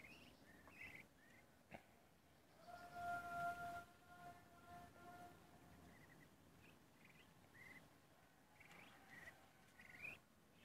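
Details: 43-day-old Muscovy ducks give soft, short rising peeps in loose series, with a longer steady whistled note midway; faint background hiss throughout.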